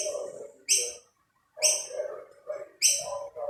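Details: Wild rainbow lorikeets compete at plates of snacks while a dominant male drives rivals away. Three loud, shrill, rasping screeches come roughly once a second, mixed with lower, softer chattering sounds between them.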